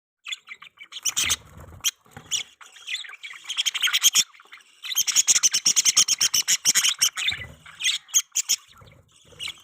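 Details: Pet budgerigars making mating sounds: busy high chirps and chattering, with a dense burst of rapid, evenly repeated ticking chirps midway and scattered squeaky notes around it.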